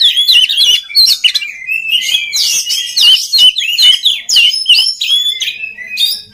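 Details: Lively oriental magpie-robin song of quick repeated whistled slurs and chips, roughly two to three notes a second, played to train other magpie-robins to sing.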